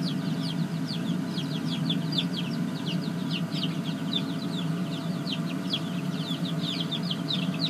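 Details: Young chickens in a small brooder coop, chicks from a laying-hen project, giving rapid high, thin peeps in a dense overlapping chorus, with a steady low mechanical hum underneath throughout.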